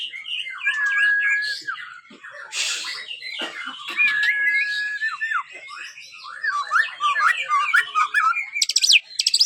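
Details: Young white-rumped shama, five months old, practising its song: rambling warbled and whistled phrases, a held whistle, and rapid twittering runs, with short noisy bursts and faint background talk.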